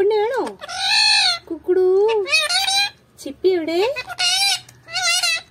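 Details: Parrot talking in Malayalam: a string of nasal, voice-like syllables with wavering, rising and falling tones, some short and clipped, others drawn out, separated by brief pauses.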